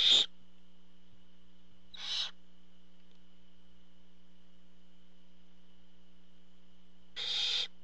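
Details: Barn owl at the nest as the parent brings food, heard as three harsh hissing screeches, two very brief and one longer near the end, separated by long quiet gaps with a steady low hum.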